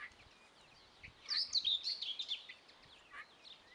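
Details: Young helmeted guineafowl chicks with a one-second run of shrill, high, wavering cheeps in quick succession, followed by a few softer isolated peeps.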